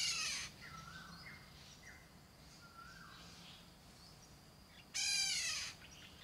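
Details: Black-naped oriole song. Mellow fluted whistles slide down in pitch, repeated about once a second. Loud harsh noisy bursts come at the start and near the end.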